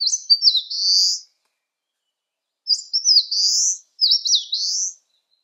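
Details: Eastern crowned warbler singing under sunny skies at 19 °C: three loud buzzy, rising phrases, each starting with sharp slurred notes, the second and third close together.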